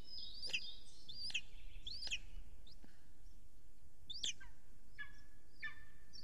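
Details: Golden eagle at an Estonian nest live camera, an adult bringing a huge prey to the nest on the evening of 3 June 2020; thin, high, downslurred yelping notes repeated at uneven intervals over a faint continuous background hiss.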